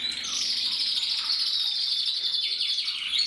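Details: Caged male red-black mosaic canary, 2024, singing a dense, rapid high trill that rolls on without pause, ending in brighter rising notes.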